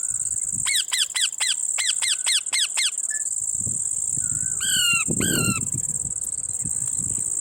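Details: Parrot at a lemon gives a rapid burst of eight clipped, falling squawks, then after a pause two longer raspy calls. A persistent high-pitched insect hum runs underneath.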